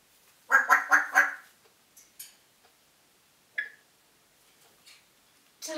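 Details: A pet African grey parrot, mimicking, gives four quick, nasal, quack-like notes, then a single short squawk; a human voice starts at the end.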